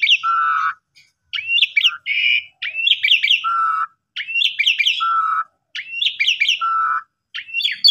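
Asian pied starling singing loud, repeated phrases of bright rising whistles and chattery notes, each ending in a lower fluty note, about every one and a half seconds.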